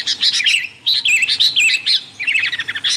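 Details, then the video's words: Sooty-headed bulbul in a noisy, lively calling recording meant to lure wild bulbuls: bright bursts of rapid chirps mixed with short slurred whistles that dip and rise, in three clusters separated by brief pauses. "suara burung kutilang ribut gacor"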